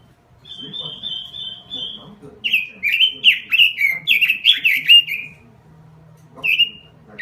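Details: Robin song used as a lure call: a thin steady whistled trill, then a rapid series of loud, bright, downward-slurred whistled notes about four a second, with a low hum underneath.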